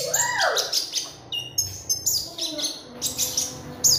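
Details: Magpie robin song played as a training lure: a rising then falling slurred whistle opens, followed by rapid sharp chattering notes and high squeaky phrases in bursts, with soft low background sound.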